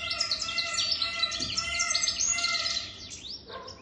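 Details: A European goldfinch over three years old sings a fast, liquid stream of high tinkling twitters and buzzy trills, rapid and jumbled.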